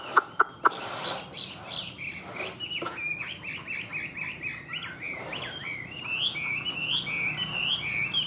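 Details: Chinese hwamei kept as a caged songbird, a few sharp clacks at the start, then a continuous run of quick varied whistled notes rising in pitch toward the end against background hiss.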